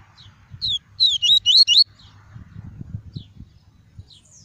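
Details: Tuí tuí style song of a caged double-collared seedeater, played to warm up other birds and tutor chicks: one brisk run of five sharp, slurred whistles in about a second, followed by near silence.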